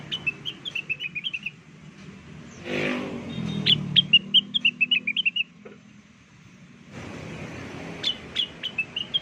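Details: Blue-winged leafbird lure song for drawing answering birds: repeated quick, high, twittering whistles in rapid series, broken briefly by a rushing vehicle-like noise mid-way.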